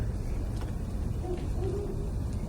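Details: Great Horned Owl hooting from a bush at night in the desert on a cold, calm night, the bird unseen. A few soft, low hoots come through faintly over a steady rumbling background hum.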